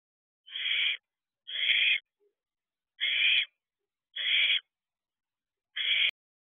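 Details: Four owlets at a nest box in the small hours of a June 2023 night, preening one another affectionately: five breathy, raspy screech bursts spaced roughly a second apart against near silence, ending with a faint click.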